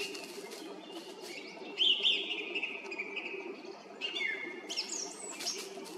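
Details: Song thrush singing from a treetop by a roadside in Zarechny, on the way to the Red Lakes, on an April evening at 18:50; clear whistled phrases with sharp rising notes, separated by short pauses, over a steady low background hum.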